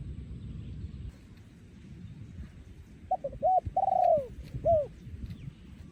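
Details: Breeding male spotted dove, 2023, singing the โยนคูอ่าง style: three seconds of low rumbling background, then a single phrase of short coos, a long trembling falling coo and a final rounded coo.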